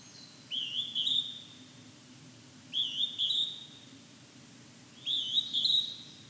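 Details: Three piercing, wavering two-part whistles from a Hodgson's hawk-cuckoo in fog, spaced a little over two seconds apart, with nothing else audible but soft hiss.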